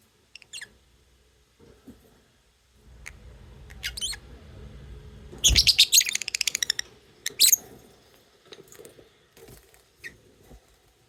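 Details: Lovebirds chirping: scattered shrill, harsh high chirps, then a dense burst of rapid scratchy notes in the middle, followed by a few sharp squeaks, over a quiet indoor background with faint low rumble.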